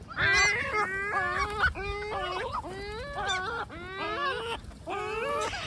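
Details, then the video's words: Several great black-backed gulls keep up a continuous complaining chorus of wavering, nasal, laughing wails rising and falling in pitch, with short higher squeaks between. "SVARTBAK SEAGULLS FUNNY COMLAINING SOUNDS"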